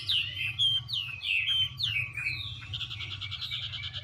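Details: Female Chinese hwamei dancing and spreading her feathers to spur the male on; a series of clear downslurred whistles about twice a second, then a fast rattling trill of repeated notes, against a faint low hum.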